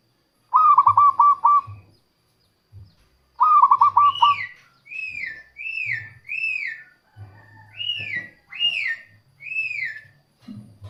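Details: Local zebra dove song used to lure wild doves. Two quick stuttering coo phrases open, then another bird repeats higher arched whistled notes about every second, overlapping a few faint low sounds.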